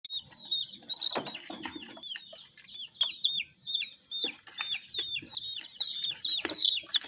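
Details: Many colourful chicken chicks chirping together, a dense chorus of high, thin peeps with downward-sliding notes that overlap constantly, with soft taps and rustles underneath.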